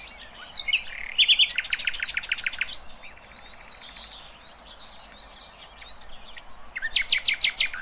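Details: Nightingale singing, recorded for young goldfinches and hybrids to learn from: a loud burst of rapid repeated high notes, a softer buzzy rattle, varied twittering, and a closing series of rapid strokes.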